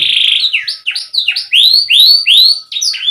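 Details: Canary tutor song to build confidence in young or stalled canaries: a buzzy trill, then long, clear upward-curving whistled notes repeated about twice a second.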